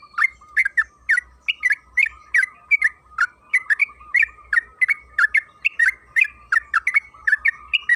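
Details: Sooty-headed bulbul lure song: a dense, unbroken chatter of short warbled chirps, some slurred downward, running steadily for eight seconds over a faint low hum.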